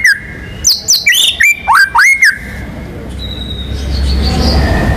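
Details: White-rumped shama, a national contest champion, singing a quick burst of clicks and rising swooping whistles for about two seconds, followed by low background noise.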